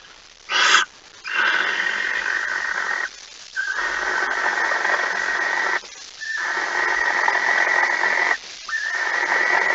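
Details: Barn owl at the nest on 26 August 2019 at 05:14, as a mouse is brought in: long rasping hisses of about two seconds each, with short gaps between them, after a brief sharp note.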